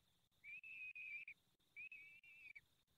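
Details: At a peregrine falcon nest in the Barycz Valley during the fifth feeding, 23 April 2020 at 19:28, two long, steady, thin whistled calls follow each other with a short gap.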